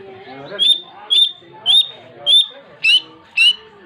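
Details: Long-tailed shrike in full, energetic song: six clear, piercing high whistles, each slightly rising, evenly spaced about half a second apart over a quiet background.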